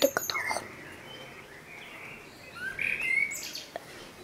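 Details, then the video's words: Common blackbird (Turdus merula) song heard at moderate distance: soft fluty whistled phrases with gentle slurs, separated by pauses, and a few sharp clicks at the start. "Blackbird song - Turdus merula - შავი შაშვი"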